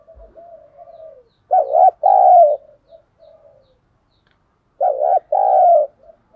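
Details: Spotted dove used as a decoy in Vietnam, cooing to entice wild birds to fight; two deep two-part coo phrases about three seconds apart, separated by quiet murmuring coos and silence.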